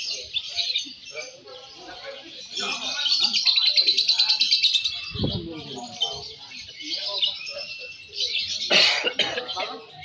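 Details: Competition lovebird, Balibu class, delivering rapid, unbroken high chatter with a rattling, twittering quality that swells louder midway, while low human voices and brief knocks sound underneath.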